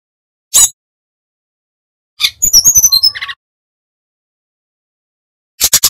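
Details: Bali brown-chested jungle flycatcher singing in nyuling style to train untrained birds. A lone harsh note, then about a second of quick, high chattering whistles ending on a lower buzzy phrase, and a final pair of rasping notes.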